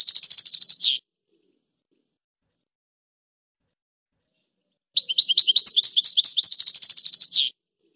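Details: European goldfinch song, two short bursts of rapid bright twittering trills separated by four seconds of silence, the second phrase longer with mixed buzzy and liquid notes.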